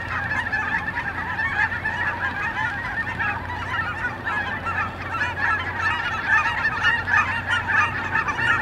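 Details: Flock of migrating geese at Brookwood Park giving crowded, repeated honks that overlap without pause, slightly louder toward the end, over low background rumble.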